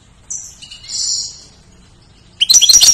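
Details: A goldfinch used as a song tutor for other birds gives a long, thin, wavering high whistle, a pause, then the start of a rapid twittering trill.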